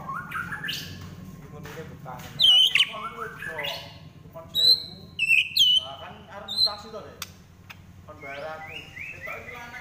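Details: Trotol-style fighting song of a white-rumped shama, with bright high whistles at irregular intervals interleaved with scratchy, rattling harmonic phrases and softer chatter.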